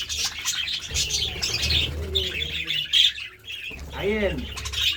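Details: Budgies enjoying seeds and vegetables chatter in quick, scratchy chirps. A short lull comes near the middle, then a louder low cooing call with rising and falling notes near the end.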